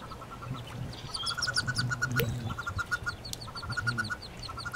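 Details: Wood duck hatchlings, nineteen in one nest box with a lone hooded merganser duckling, spring 2013. Quick even series of high piping peeps repeat in bursts, with a sharp knock and dull rustling underneath.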